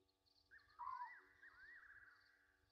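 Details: Late at night at a Sabi Sand waterhole in South Africa, Gowrie dam on Djuma Game Reserve, Egyptian geese give a loud short falling note amid a long wavering tone, with continuous pulsing insects and a steady hum from the live camera.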